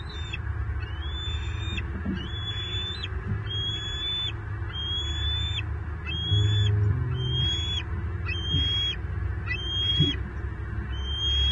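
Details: Bald eagle eaglet at a Florida nest during fish deliveries by its father, calling in repeated high whistled chirps, each rising then dropping, about eleven in quick regular series over a low hum of background noise.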